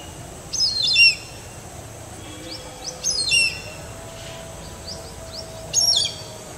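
Indian grey hornbill giving three bursts of shrill, squealing notes about every two to three seconds, with faint fainter chirps between and a quiet background hum.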